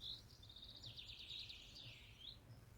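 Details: Common Chaffinches singing in the distance outdoors: a faint, fast trill that descends in pitch and ends in a short flourish, heard through steady background noise.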